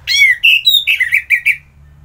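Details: Orange-headed thrush in full morning song near Singaraja, Bali: a varied phrase opening with a loud downslurred whistle, then steady higher notes and a tumbling series of short warbled notes fading out.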